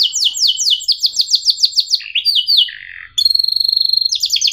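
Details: Canary song meant to teach young birds: a string of loud descending whistled sweeps, a slurred dropping phrase, then a high steady tone with a fast pulsed trill.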